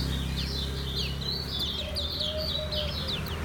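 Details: Caged Lombok white-eye (kecial kuning) singing in the slow ngejos style: rapid high twittering notes, many sharply falling, run together without pause over a steady low hum.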